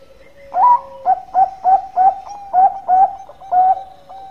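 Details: Zebra dove (perkutut, local bird) in lively song used as a lure: a higher opening coo, then seven soft, rounded low coos in a quick, slightly uneven rhythm over about three seconds, with a faint steady tone beneath.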